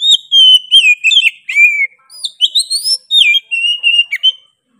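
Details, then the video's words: Oriental magpie-robin in full, vigorous song: loud clear whistled phrases near the upper-middle range, sliding and warbling, with sharp upward sweeps and buzzy high notes, delivered in rapid bursts with brief pauses. "KACER GACOR NGOTOT PEDES SUARA NYA GA DA AMPOON"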